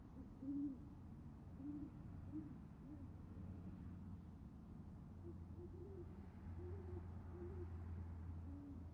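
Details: Female great horned owl on a nest cam in Oklahoma City, calling her mate to the nest in the evening of 28 January; a series of soft, low hoots carries over a steady low hum.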